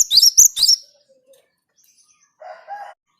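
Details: Java sparrow song used to stir other birds into singing: three loud, high, sharp chirps in under a second, then silence and a short, lower, buzzy call.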